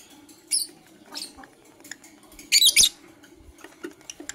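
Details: In the morning, Blue Opaline and Parblue Euwing Opaline lovebirds give a few isolated high, grating chirps, then a dense harsh burst of rapid chirping lasting under half a second, amid faint background rustling.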